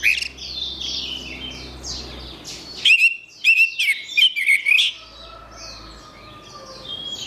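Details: Orange-headed thrush, a recording meant to get a silent bird singing again: soft background twittering, then a loud two-second run of rapid whistled and chirped notes, fading back to quieter song.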